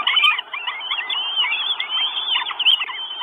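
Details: Northern goshawk chicks, four in the nest, begging for food in Estonia on 1 June 2022; a short burst of high, wavering squeals and drawn-out whistled slurs overlapping, from a nest camera stream.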